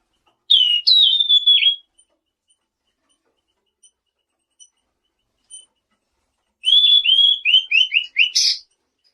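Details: Selendang biru song played to provoke answers from other birds: a high whistled phrase falling at the end, a pause, then a rapid series of about six short downslurred whistles ending in a harsh note.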